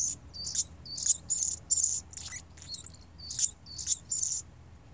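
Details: A male hummingbird singing steadily: a series of thin, high, squeaky buzzy bursts, about nine in five seconds, each a short scratchy phrase repeated at a regular rhythm, with a low background hum.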